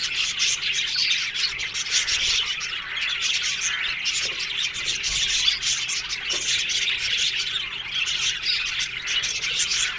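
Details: Budgie flock in an aviary colony, a constant dense chorus of bright chirps and chattering warbles from many birds at once.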